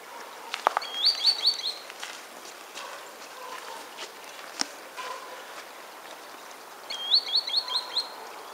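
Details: Green sandpiper spring song recorded 24 January 2015: two quick runs of five or six high, fluty rising notes about six seconds apart, with faint lower calls and soft rustling between.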